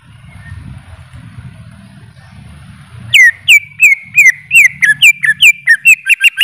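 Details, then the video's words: After three seconds of faint low hum, a greater green leafbird begins a chain of whistled notes that swoop downward and level off, speeding up toward the end, about a dozen in all. "Suara Burung Cucak ijo"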